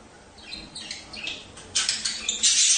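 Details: Budgerigar chatter used to encourage mating: soft, rapid twittering notes building into a loud burst of harsh, hissing squawks at the end.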